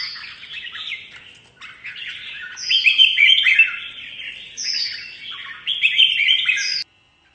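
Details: Competitive singing by a mutant red-whiskered bulbul: fast, bubbling whistled phrases with high downslurred notes, rising in volume, then ending abruptly in silence.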